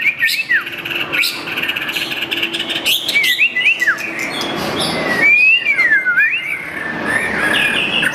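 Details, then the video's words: Rival-challenging song of a white-rumped shama with a curved tail: a rapid run of varied chirps, then looping whistled phrases that rise and dip, over a steady background hiss. "Murai batu ekor lengkung muntah materi panggil lawan"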